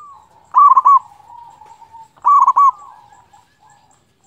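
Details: ['Zebra dove, local type, singing to spur rival doves: two loud staccato coo bursts under two seconds apart, each followed by a long, gently falling coo, another phrase starting at the end.']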